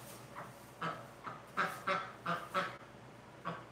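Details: Domestic ducks kept in a hospital area, filmed on a live stream on February 12, 2018: a run of short, harsh quacks repeated about three times a second, some louder, over a steady indoor hum.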